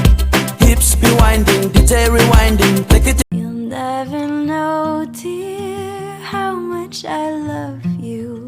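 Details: Pop music with a singing voice and a steady beat. A short break near the middle is followed by a calmer sung passage, with no animal sound heard.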